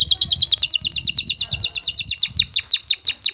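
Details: Excited male canary singing to a female to bring her into mating posture; a fast, steady run of high descending sweeps, several per second, over faint low rumble.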